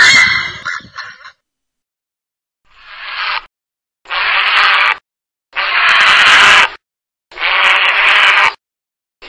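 Grey heron giving four harsh, raspy squawks, each about a second long, about every two seconds, after a brief jumble of other sound at the start.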